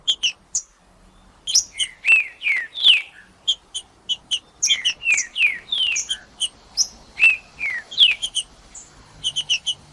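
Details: Green-winged saltator, a caged bird being warmed up in cold conditions to sing, gives loud clear whistled phrases, slurred downward notes alternating with short high chips, repeated in quick bursts over ten seconds.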